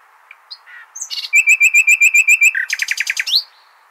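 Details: For tutoring goldfinch and hybrid young, a nightingale sings Al-Hasaniya style: about twelve identical loud notes in quick, even succession, then a buzzy trill that ends on a rising slur.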